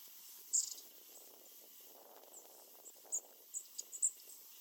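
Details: Long-tailed tit (Aegithalos caudatus) of the snowy Hokkaido form, flitting about rapidly, giving brief, very high, thin tsee calls scattered over a few seconds, over a steady high hiss and soft background rumble.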